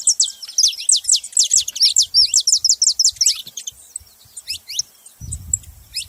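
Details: Saffron finch giving a rapid run of bright, high downward-sweeping chirps, about three per second, that thins into sparser notes, then a brief low rumble near the end.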